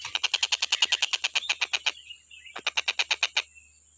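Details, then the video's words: Stork-billed kingfisher, recorded for training other birds to sing, giving loud raspy notes in a rapid even series of about twenty, a short gap, then a shorter burst of the same harsh calls over a thin steady whine. "TENGKEK BUTO KHUSUS BUAT MASTERAN,FULL KICAU GA ADA BERHENTI NYA"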